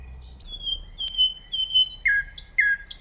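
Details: Common nightingale singing: a run of long, drawn-out pure whistles on a nearly even pitch, each swelling in volume, then lower whistled notes with abrupt starts and brief high accents above them, over faint low background hiss.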